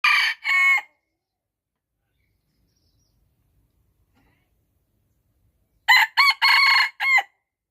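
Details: Rooster crowing: a clipped ending of one crow at the start, then near-silence for about five seconds, then a full crow of four harsh, harmonic syllables with a long held third note, no other sounds.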